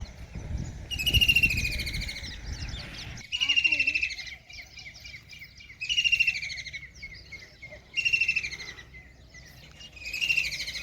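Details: Kingfisher perched by a river after eating a big fish in Ranthambore National Park, Sawai Madhopur, Rajasthan. Loud, harsh, rattling trills about a second long, repeated five times roughly every two seconds, over low rumbling background noise.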